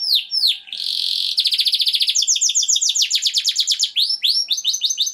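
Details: Canary singing for female preparation before mating: falling whistled notes lead into a sustained buzzy tone, then fast pulsed trills and tour changes with repeated swooping whistles, bright, high and uninterrupted.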